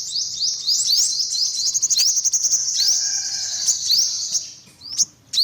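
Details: An olive-backed sunbird gives a fast, nearly continuous run of high rising chips and trills for several seconds, then a couple of isolated sharp upslurs after a short pause.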